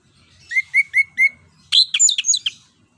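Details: Orange-headed thrush singing in ngerol ngeplong style, used to coax a silent bird: four short identical upslurred whistles in a steady row, then a dense tumbling burst of high, sweeping notes, with faint low background rumble.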